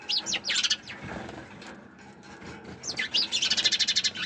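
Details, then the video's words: Sparrows chirping: bursts of sharp, high, slurred chirps at the start, then a quick run of evenly spaced chips near the end, over faint background noise. "Sparrows Chirping Sound"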